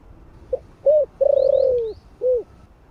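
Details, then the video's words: Spotted dove cooing in the 'thổ' voice, meant to draw wild doves: a faint pickup, a short hooting note, a long pulsing falling coo and a closing note, with thin high chirps of another bird overhead. "Cu gáy giọng THỔ ( không biết thổ gì ) kích bổi cực hay"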